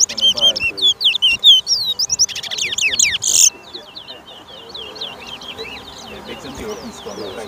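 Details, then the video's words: Towa towa song during a 2023 bird race at Lamaha Street, Georgetown, Guyana: about three seconds of loud, rapid whistled chips and slurs ending in a harsh buzz, then softer distant warbling and quiet crowd noise. "TOWA TOWA BIRD RACE"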